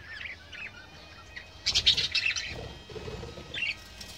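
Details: Several budgerigars on a farm in Nakhon Sawan, Thailand, chatter in quick, scratchy warbles and chirps, with a loud burst of overlapping squeaky notes midway, then softer twitters.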